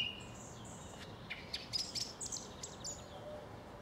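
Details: Faint song thrush song recorded in South England: a quick cluster of thin, high chirps and clicks mid-way through, bracketed by softer whistles, with low background hiss.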